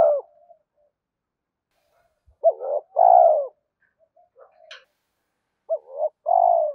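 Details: Spotted dove call for exciting decoy birds: a phrase is cut off at the start, then two full phrases follow, each a quick low note and a sustained hollow coo, with faint murmurs between.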